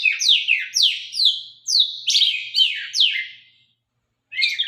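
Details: Sharp-voiced White-rumped shama of Sabang stock in full song: a fast run of piercing, high, swooping whistles, each note sliding steeply downward, about seven in quick succession, then a short pause and a new phrase.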